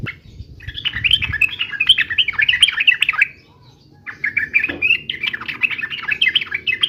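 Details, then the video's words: Energetic yellow-vented bulbul fighting song of the 'uplik uplik' style: long runs of quick, liquid, jumbled chirps, broken by a roughly one-second silence, then resuming just as busily. "trucukan gacor UPLIK UPLIK TARUNG"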